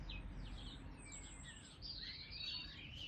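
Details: European robin in a tiny woodland garden (11-1-25), with birds described as pairing up as spring approaches. Thin, high, wavering whistles and short sliding trills are fairly faint over a steady low outdoor rumble.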